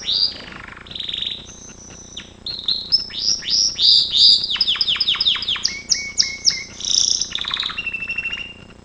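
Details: Gloster canary singing a training song: a varied, fast run of high whistled and buzzy notes, rapid repeated chips forming rolling trills, then clear steady whistles and a final buzzy trill, with no other clear sounds.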